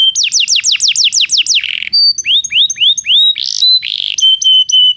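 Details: Training song of a Belgian canary for non-singing birds: a quick run of descending slurred notes, a pause, rising upward sweeps, a warbled burst and closing sustained whistled tones.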